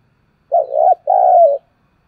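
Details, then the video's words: Spotted dove used as a lure bird, calling to draw wild doves; two sustained, low, mellow coo phrases in quick succession, the second longer and dipping at its end, with silence around them. "Tiếng cu mồi thúc bổi và gáy gọi"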